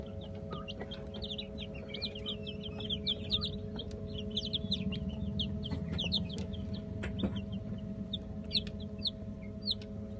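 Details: Young Light Brahma chicks, 15 days old, several together, give dense bursts of thin high cheeps, sometimes in quick runs, then sparser single peeps, against a continuous low hum.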